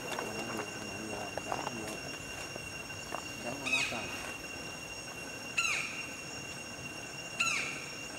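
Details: White-bellied Woodpecker in Vietnam in the evening as it grows dark: three loud, sharp, slightly falling calls about two seconds apart, over a steady high-pitched hum with faint voices early on.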